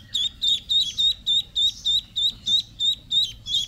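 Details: Domestic ducklings peeping: high, shrill notes repeated steadily, about three every second, with a slight rise and fall in each peep.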